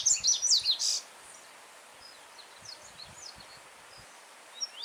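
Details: Yellow-bellied seedeater singing free outdoors with a stream running among stones behind it. A loud second of quick, high, clipped notes is followed by faint distant notes over steady water hiss, then a brief louder note at the end.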